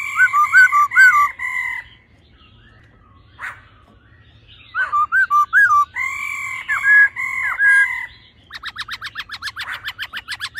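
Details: Male laughingthrush song in the old-forest voice with the female's ro calls, aimed at rousing males fast: wavering whistled phrases, a quiet gap, more looped whistles, ending in a quick dry rattling series.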